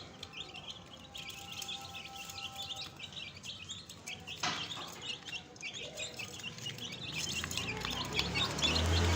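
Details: Several young chicks peep in rapid, high, falling notes, about two per second. Thumps and a rising low rumble build toward the end.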